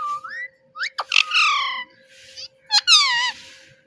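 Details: Talking pet parrot mimicking the word "Mitthu"; a soft rising whistle opens, followed by two loud, buzzy harmonic phrases with slightly wavering pitch, each about half a second long, separated by a quieter gap.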